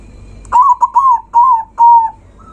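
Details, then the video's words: Zebra dove giving a loud song meant to provoke rival birds: a quick run of clear, soft cooing notes at one pitch. The first note is stuttered, the rest are smooth, and the last is held longest. "Perkutut suara kencang, bikin lawan naik emosi"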